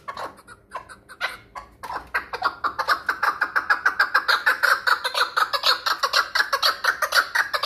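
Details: Hunting chukar partridge from the Pamirs begins with scattered clucks, then builds into a loud, even chuck-chuck-chuck series, about two notes per second, with a ringing tone.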